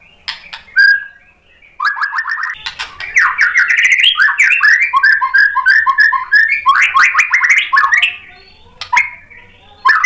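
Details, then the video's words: White-rumped shama song to provoke a response: a long continuous stretch of rapid, repeated whistled notes rising and falling, mixed with sharp ticking sounds, ending in short separated phrases. "SUARA MURAI BATU biar EMOSI NYAUT jadi GACOR BONGKAR MATERI ISIAN | PANCINGAN MURAI"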